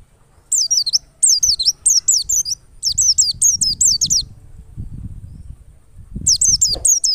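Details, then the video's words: Wild white-eye used as a lure to make other white-eyes sing: bursts of high, wavering, looping whistled notes in quick series, separated by short pauses, with faint low rumbling behind. "PLECI NGALAS power super mantap PAS banget buat PANCINGAN PLECI agar buka paruh."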